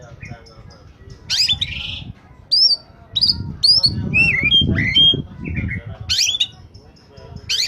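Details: Oriental magpie-robin singing at its peak, a song used to lure wild birds: varied whistled notes, upslurs and downslurs, interspersed with rasping buzzy bursts, over low background rumble.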